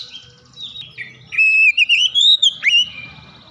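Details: Oriental magpie-robin in full loud song, beak open wide: soft twittering gives way to a strong run of pure, rising and falling whistled notes with an abrupt downward slur near the end, over a low background hum.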